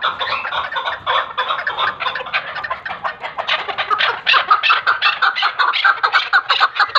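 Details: Chukar partridge uttering a rapid chattering chorus of raspy cluck notes that grows louder and more pulsed in the second half, several callers seeming to overlap.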